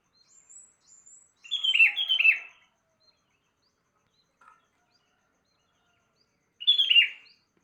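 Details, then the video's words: In the morning a sooty-headed bulbul sings two quick, rich, falling phrases back to back, then a similar phrase about four seconds later. Faint high thin notes come first. "Kicauan Burung kutilang Di Pagi Hari"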